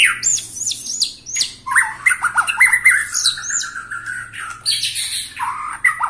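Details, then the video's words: White-rumped shama, 21 years old, sings in bursts: high hooked whistles, then a fast stuttering series of slurred notes and scattered sharp chips. "Murai batu ini ternyata usianya 21 TAHUN Gaya main masih NGOTOT"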